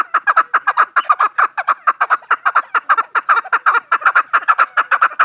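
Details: Farm chukar partridge delivering a loud, continuous series of rhythmic chuck-chuck notes, about two per second, steady and evenly spaced throughout, nothing else clearly heard.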